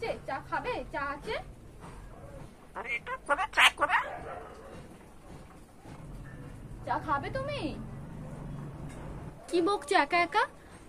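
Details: Speech-mimicking pet common myna, taken in after a storm wrecked its nest on a light post, credited with more than 100 phrases including curses; clustered, rapid, wavering high-pitched syllables in three bursts, with a lower human voice murmuring in between.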